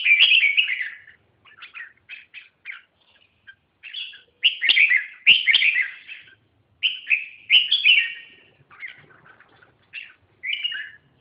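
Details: Red-whiskered bulbul pouring out repeated loud, cheerful warbled phrases, several short bursts spaced one to two seconds apart, with softer twittering between them.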